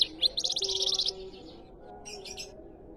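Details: Canary riwikan song fragment: a short, dense high trill lasting under a second, then quiet, with a brief buzzy burst near the end.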